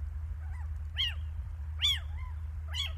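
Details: Little owls at Lichtenvoorde on 15 January 2024: loud mewing, arched calls, each falling at the end, given about every 0.8 seconds, with a softer call between them over a steady low rumble.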